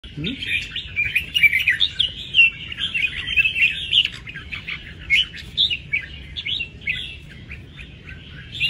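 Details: Red-whiskered bulbul, a kept songbird, singing a dense, jumbled stream of chirps and warbled phrases, loud and nearly continuous, with a brief low voice at the start.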